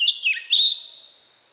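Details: Oriental magpie-robin in wild-type voice, meant to provoke newly caught birds: a pair of quick descending whistled slurs, then one loud clear high note that fades slowly into silence.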